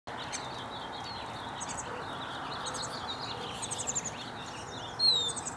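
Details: A lesser goldfinch singing in the Southwest gives a jumbled run of thin, high twitters and chips, ending in a clear, sliding whistle, over a steady background hiss.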